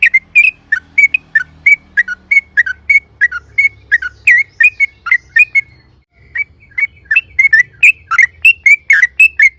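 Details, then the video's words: Lure recording of a loud yellow-vented bulbul: a long run of crisp whistled chirps, around three per second, broken by a brief gap near the middle, then resuming slightly faster and richer, over a faint low rumble. "trucukan gacor‼️ROPEL PLONG Suara Keras Pancingan Trucuk"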